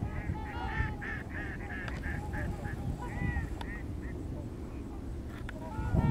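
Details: Missouri flock of migrating trumpeter swans calling: quick series of bright, higher honks repeated about twice a second, mixed with lower bugling calls, above a steady low rumble.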